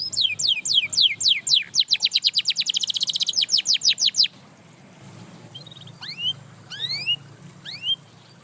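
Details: Canary delivering a fast rolling series of descending notes that speeds into a dense trill, then pausing before a few scattered rising whistles with faint quiet background.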